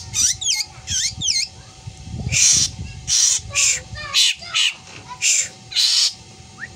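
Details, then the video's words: Black drongo, a bird that mimics a cat's meow and has odd screeches: a series of harsh, hissing screeches alternating with quick high, bent whistled notes, about ten bursts in close succession. "Burung Sri Gunting Yang Doyan Ngomong Meong Dan Teriakan Anehnya"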